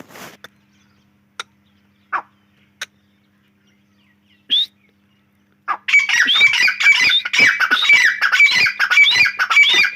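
A few sharp, scattered clicks and notes, then a grey francolin breaks into a loud, harsh, shrill run of rapidly repeated ringing calls that continues to the end.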